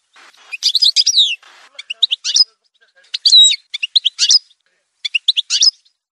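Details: Algerian goldfinch, parva form, singing broken phrases of quick high twitters, a descending slur and a short buzzy whistled note, grouped in small bursts with brief gaps.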